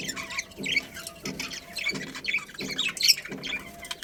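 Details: Breeding colony of budgerigars chattering with high scratchy chirps and warbles, while a soft low thumping pattern repeats roughly every three-quarters of a second underneath.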